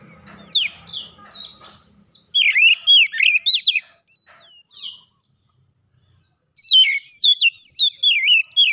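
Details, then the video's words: Provoked oriental magpie-robin answering aggressively, unloading its full repertoire: a quick run of loud, warbled whistles, a pause with softer notes, then a fresh volley of bright, twisting phrases. "sekali pancing Kacer lawan langsung gertak naik emosi bongkar isian"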